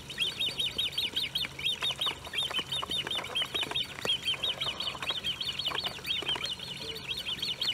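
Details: High piping series from Great crested grebes with young, recorded 1 August 2018 at De Gouden Ham near Maasbommel; insistent thin peeping notes run continuously, some clustered in quick bursts, with splashing or flapping thuds and a faint low drone underneath.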